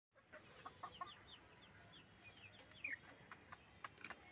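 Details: Tiger chickens kept for egg production on a farm, giving short clucks and squawks, some rising and falling, scattered irregularly through the clip over a soft background hiss.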